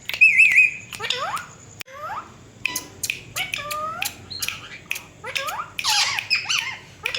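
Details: Pet Indian ringneck parakeet talking in a cat-like voice: a run of meow-like notes that swoop up and down, mixed with shrill squawks and short high chirps, in a quiet indoor setting.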